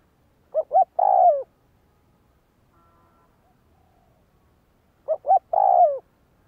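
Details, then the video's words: Spotted dove kept as a decoy bird in training, giving two cooing phrases about four seconds apart. Each has two short, hollow notes followed by a longer, drawn-out coo that slides downward, with quiet between phrases. "Tiếng Chim cu gáy Luyện mồi tập bổi chuẩn"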